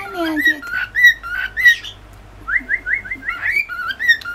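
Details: Male cockatiel, born July 2015, whistles bright, warbling phrases with a quick run of rising slurred notes while flirting with a new female born August 2015, who does not whistle; a person speaks faintly in the background.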